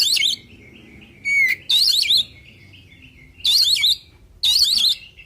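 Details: Oriental magpie-robin song meant to make other birds answer: four loud, rich warbling bursts separated by pauses, one opening with a thin rising whistle, over a quiet steady hum.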